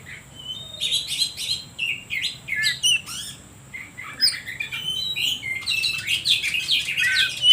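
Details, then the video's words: Oriental magpie-robin song used as a lure to provoke other birds into singing: dense varied phrases of whistles, buzzy notes and sharp chirps, rising and falling, with a faint steady high tone throughout. "Suara Pancingan Kacer Paling Ampuh || Bikin Burung lain Makin emosi"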